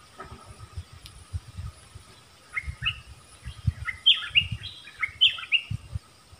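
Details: Nok dok taeng singing a 'double song' in a duel with wild birds, Thailand: sharp falling whistled notes strung into quick phrases that grow louder toward the end, over low rumbling background noise.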